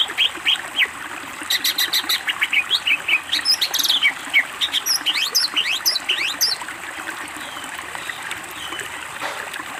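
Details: Greater green leafbird master recording of energetic song with isian fill-ins: fast bursts of high chirps and sharp descending whistles, about 200 notes a minute in places, then a pause before a final short note.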